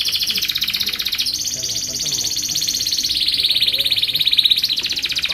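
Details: Canary song for tutoring and luring other canaries: continuous rapid rolling trills, slightly dropping then rising again in pitch, with faint low background sounds.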